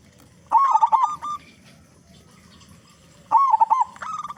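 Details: Zebra dove, local type with a big voice, singing as a lure for other doves; two bubbling, rolling coo phrases about three seconds apart, each ending in a steady trill.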